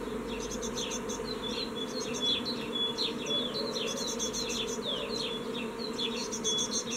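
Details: Young great tits fledging from a nest box on 14 May 2017, only one leaving; high, thin chips and short downslurred notes repeat throughout, with bursts of buzzy stacked notes, over a steady low humming drone.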